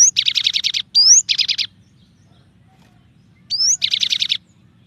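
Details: Cinereous tit (gelatik batu) in a clear tutor recording of 'tembakan' variations: upslurred whistles followed by dense buzzy, rattling bursts, given in two or three bouts a couple of seconds apart.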